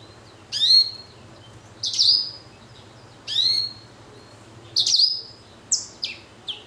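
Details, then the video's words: Blackthroat x canary cross giving separate high chirps, roughly one every one to two seconds. Each note sweeps sharply downward and then levels into a short whistle. A few quicker, thinner notes close the sequence. "Blacken Gacor Warna Unik Sekali | Blackthrout x Kenari"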